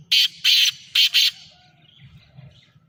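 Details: Black francolin (Francolinus francolinus), call.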